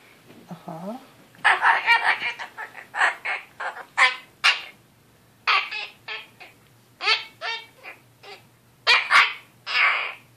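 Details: Goffin's cockatoo gives his weekly bedtime "lecture": a rapid, uneven run of raspy, speech-like bursts and squawky syllables with brief pauses between phrases, over a faint low hum; he stops when approached.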